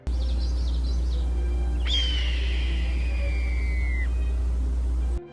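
A Red-tailed Hawk gives one long, hoarse, descending scream lasting about two seconds, over a steady low hum, with faint high twittering just before.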